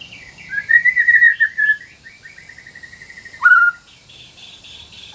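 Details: White-rumped shama song for training birds that stopped singing: a quick buzzy run of repeated warbled notes, then a pause and one strong downslurred whistle.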